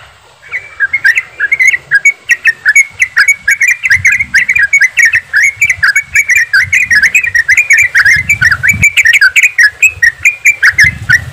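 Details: Group of yellow-vented bulbuls in fast 'ropelan' singing, a lure for making birds sing quickly; sustained bubbly chattering of short whistles, near-constant over many seconds, with occasional low rumbling noise.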